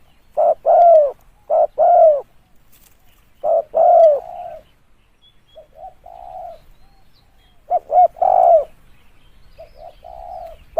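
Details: Spotted dove voice meant for luring birds: clusters of two or three mellow coos, each ending in a drawn, sliding note, with a softer stretch midway and brief silences between phrases.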